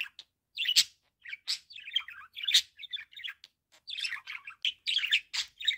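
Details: Calling sound of a pet budgerigar: continuous scratchy chatter of chirps, clicks and squeaks in irregular bursts with short pauses.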